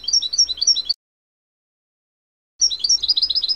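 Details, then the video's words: Natural song of a young European goldfinch from this season: brisk high twittering and tinkling notes, cut by a silent pause of about a second and a half before the rapid warbling resumes. "Chant naturel du chardonneret"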